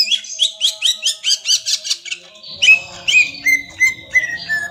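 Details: Young greater green leafbird singing in ngentrok style: a fast run of about ten short rising whistled notes, then a pause and clear slurred whistles settling into evenly repeated falling notes.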